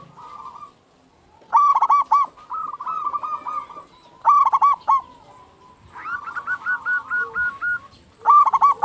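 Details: Local zebra dove singing eagerly, meant as a lure to stir other zebra doves into song: short loud bursts of rapid hollow coos alternate with softer rolling trills, about four phrases over nine seconds.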